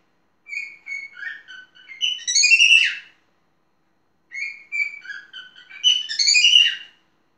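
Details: Talking parrot twice repeating the same phrase: a few short whistled notes building into a loud, tangled flourish of shrill, rising and falling whistles, with silence between the phrases.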